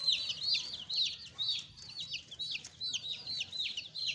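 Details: Pet chicks give bright, high peeps that slide downward, about two each second, overlapping in a lively chorus against a quiet background.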